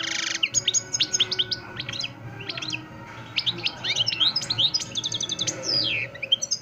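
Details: European goldfinch, a Parva de Montijo bird from Extremadura, singing non-stop: bright tinkling twitters and quick high trills in fast bursts with brief pauses.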